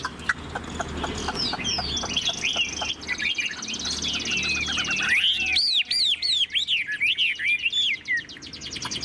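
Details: Tame Chinese hwamei singing from its cage, tail fanned, ngũ trường style song: soft jumbled twitters building to a loud series of arched whistles repeated about three per second.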